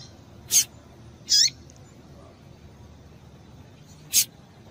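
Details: Female double-collared seedeater calling to excite the male into singing: three short, sharp, high chirps, the middle one slightly longer with a downward-sliding tail, spaced over about four seconds against a quiet background.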